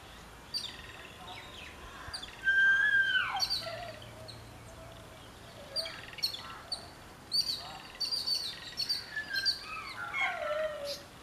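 Jungle babblers give a harsh, squeaky chatter of overlapping downslurred notes, with one louder drawn-out squeal early on and a steady background hiss.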